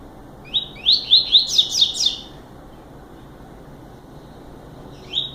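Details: Double-collared seedeater singing a short song: one burst of quick, rising, sharp whistled notes lasting under two seconds, then a single clipped note at the end over a quiet background.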